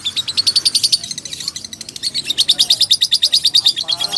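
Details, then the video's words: Lovebird in full song, used as tutor material for magpie-robins: rapid high chattering notes pulsing about three times a second, buzzy and squeaky, continuous throughout. "Burung Love bird gacor untuk isian murai batu"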